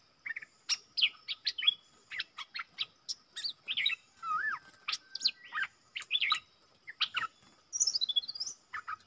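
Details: Wild bulbul from southern Thailand countersinging with a caged decoy bird while keeping its distance from the cage. A long run of quick, varied whistled notes and slurred chirps, with one lower looping whistle in the middle.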